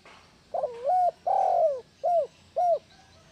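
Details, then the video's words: Tekukur or spotted dove call meant to spur silent doves into calling: four-part phrase of a choppy start, one long sliding coo and two short curved coos, over low faint background hiss. "Suara burung tekukur perangsang tekukur males bunyi"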